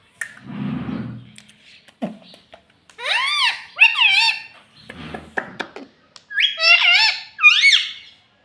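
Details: Rose-ringed parakeet talking, saying "mummy papa": a low muffled voice at the start, then paired arched high notes mimicking words, some scratchy chatter, and two final bright rising-falling phrases.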